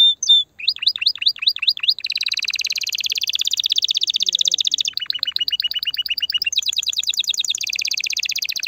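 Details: Loud canary song meant to prepare females for mating and nest building: a few sliding whistles, then long rapid rolling trills that change tempo and pitch every couple of seconds.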